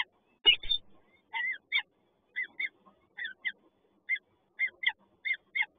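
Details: Peregrine falcon chicks at a nest on the PGE building in Toruń beg for food with a rapid series of high, thin, down-slurred squeals, about a dozen in six seconds, with one brief low thump near the start.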